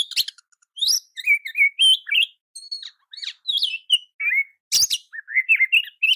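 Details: Oriental magpie-robin training song meant for other magpie-robins, a lively mix of clear rising and falling whistles with scratchy chattering notes, delivered in quick, almost continuous phrases with a loud harsh burst near the end.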